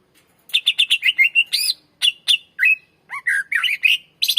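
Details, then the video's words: Full-varied 'gacor' song of a greater green leafbird, meant for luring and training young birds: rapid run of sharp chirps, then looping whistles, bubbling rising and falling phrases, and varied chatter. "SUARA BURUNG CUCAK IJO MASTER GACOR FULL SUARA PANJANG .COCOK PANCINGAN BURUNG BAHAN"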